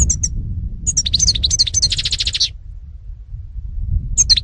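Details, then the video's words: European goldfinch, named in Greek as karderina, recorded in 2018, singing a bright twittering song: high tinkling notes at the start, a fast run of buzzy trills in the middle, then a final short phrase, with low background rumble. "-ΚΑΡΔΕΡΙΝΑ-Carduelis carduelis (European Goldfinch 2018)"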